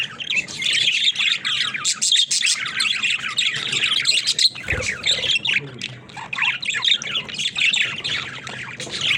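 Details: Pet budgerigars in daily life, talking: dense, continuous warbling chatter of high squeaks, clicks and twitters from several birds, with a brief low thump midway.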